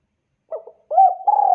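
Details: Spotted dove calling so that other spotted doves answer; a short soft coo followed by a louder, longer mellow coo, then a sustained low note cut off at the end, with no other sounds.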